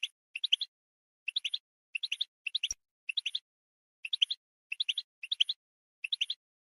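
A goldfinch sings bright, tinkling twitters in quick bursts of three or four high notes, repeated about every half second, with a single soft click and no other sounds.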